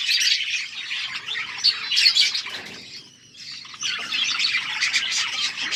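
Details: An outdoor aviary colony of budgerigars fills the air with busy, overlapping warbles and chirps, high and scratchy. The noise briefly dips about halfway through, then the chatter swells again.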